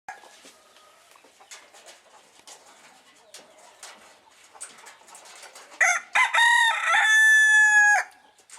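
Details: Excited Phoenix rooster. After several seconds of faint clicks and rustling, a loud crow bursts out, starting broken and ending in a sustained, even note lasting about a second.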